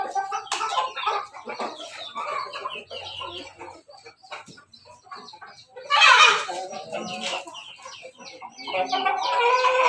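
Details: A flock of crossbred Pelung and Bangkok chickens, including laughing chickens, gathered for their morning feed clucks and squawks together, with bursts of louder, harsher cackling.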